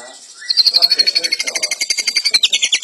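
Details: White-rumped shama delivering a high, rapid rattling trill of about two dozen evenly pulsed notes lasting over two seconds, ending with a quick downward flick.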